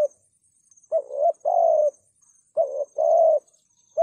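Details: Lure cooing of a spotted dove, thúc gù style: two clear doublets of low coos, a short warbling note and a fuller sustained one, about one and a half seconds apart, over a quiet thin high whine.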